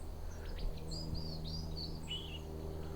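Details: White-throated Sparrow in autumn, possibly a juvenile learning its song, giving a soft, broken practice song: thin high whistles slurring up and down, uneven and halting, over a steady low background rumble.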